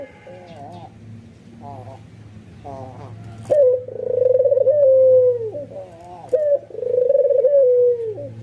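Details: Bowing, excited albino white ringneck dove. Several soft wavering coos from other doves come first, then two loud calls, each a quick upward note and a long rolling coo sliding lower, over a low steady hum.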